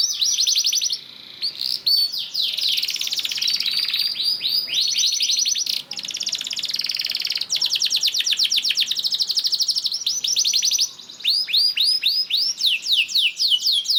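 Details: Canary in sustained, vigorous song with long rolls, used as a lure for other canaries: dense buzzy trills, rapid even pulses and sweeping whistles run almost without pause.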